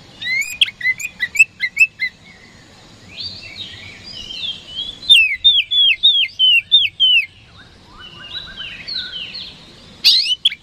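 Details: Oriental magpie-robin (kacer) in a daily lure recording meant to provoke rival birds into answering: loud whistled song, scratchy mixed notes, then a run of about eight clear downslurred whistles repeated quickly, then varied chattering phrases.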